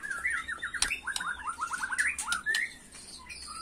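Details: Agitated macul-style song of a white-rumped shama, a rapid series of repeated downslurred whistles with scattered clicks, against a noticeably hissy background.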